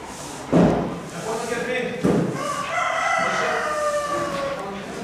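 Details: Cockerel crowing amid the bustle of a French poultry show in a market hall at Gournay-en-Bray, December 2016; a long harmonic crow in the latter half, preceded by loud thuds and background voices.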